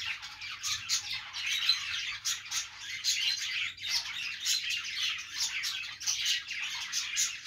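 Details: Budgies perched and singing: rapid scratchy twitters and squeaks form a continuous warble, broken by a brief dip near the middle before the chatter resumes.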